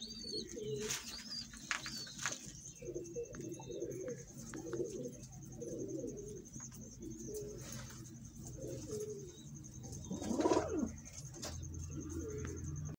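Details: Pigeon of a local breed giving low repeated cooing notes, several in a row, with other birds' thin high whistles overhead and some handling noise in an enclosed space.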